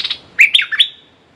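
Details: Red-whiskered bulbul used as a decoy to lure a clever territorial wild bird: a short, loud phrase of three or four bright, warbled notes, rising and falling, then silence.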